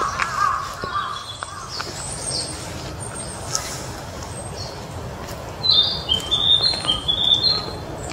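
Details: Narcissus flycatcher, a still-young bird, singing in Mizumoto Park on 1 May 2023; brief faint low note at the start, then a run of high, clear whistled phrases near the end, over steady background hiss.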